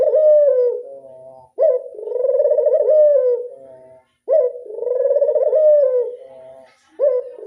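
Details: A local Barbary dove repeats its classic 'angungan' coo about every 2.7 seconds. Each coo is a hard-edged opening note followed by a rich, trembling hum that holds and then droops slightly. Nothing else is audible.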